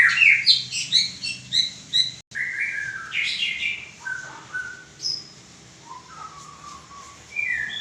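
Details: White-rumped shama opens with a fast train of sharp repeated notes, about four each second, then shifts into slower, spaced whistled phrases, some rising, some falling, with quiet pauses between.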